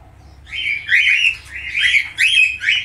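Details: Budgerigar, falk type, singing rough chirping phrases, each a scratchy burst of rising and falling notes, about four bursts after a brief quiet start, with a low hum behind.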